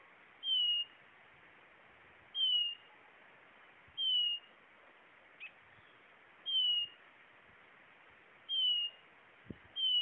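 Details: Blue-naped chlorophonia repeating a pure, high, slightly descending whistled note about every two seconds, six times in a row, with faint clicks and a quiet hissing background between notes.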